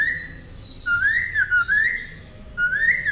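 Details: Northern mockingbird, recorded as a master for caged songbirds, giving clear whistled notes that rise and dip in smooth arches, three similar slurs in about three seconds over a quiet background.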